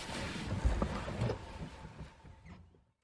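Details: Low rumbling boat and wind noise with a few thumps fades away to silence, with no animal sound present.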